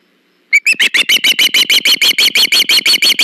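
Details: Osprey at a live-cam nest, August 21, 2019, during a fish delivery: calling starts with two clipped notes, then breaks into a steady, rapid string of bright, strident chirps.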